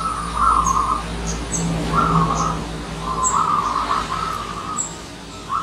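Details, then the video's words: Visiting wild zebra dove uttering steady vibrating trilled coos, three long bursts with short gaps, while thin high chirps of another bird sound in the background and a low hum runs underneath. "Kedatangan Tamu Perkutut Liar"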